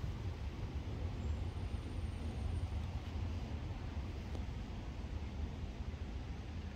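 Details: A steady low roar like a passing aircraft covers the whole stretch, with no quacking or other animal voices.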